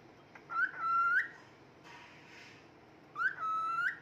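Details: A happy male pet cockatiel, singing and whistling, gives clear, drawn-out notes that slide up briefly, hold steady, then flick upward at the end.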